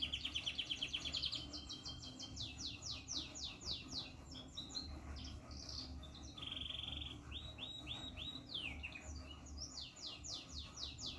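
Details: Caged Yorkshire canary, one of a pair ready for breeding, sings rapid rolling trills of pulsed notes, then slurred runs and a steady sustained trill near the middle, over a low background hum.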